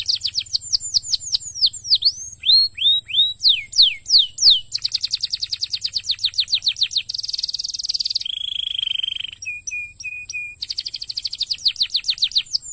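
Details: Canary song for prompting other canaries to sing, a lure track: swooping slurred whistles and falling chirps lead into a fast trill, then a buzzy rattling roll, a steady flat tone and a few level piping notes before trills resume.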